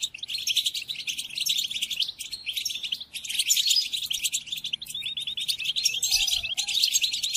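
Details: Goldfinch song played to caged European goldfinches as training: a long stream of high, jangling twitters and buzzy trills in several phrases, with a short dip near three seconds and a soft low tone late on.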